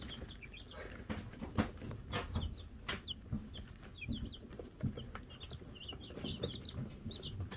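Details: Silver Laced, Gold Laced and Gold Laced Blue Wyandotte chicks, May 2022, given a bell; many overlapping high cheeps in quick groups, with sharp clicks and taps throughout.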